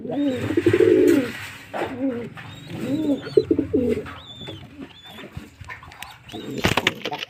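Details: Low, bubbling coos of pigeons come in three or four rounded bursts over a hissy background, and a sharp clatter sounds near the end.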